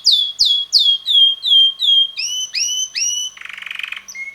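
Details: Red male canary, about six months of age, singing: a series of loud downslurred notes repeated about every third of a second, then rising two-toned whistles, a brief buzzy rattle and a final short note.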